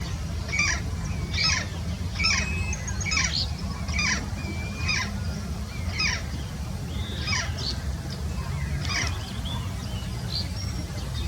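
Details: Yellow-faced parrot calling: harsh, grating notes repeated roughly every second, some in short doubled bursts, over a steady low rumble of wind or background noise.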